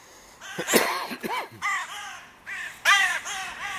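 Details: Crows at a music pavilion in König-Albert-Park, where the territory borders of three breeding pairs meet and are fiercely disputed; a cluster of harsh, hoarse caws, some bending up and down in pitch, overlapping in quick succession.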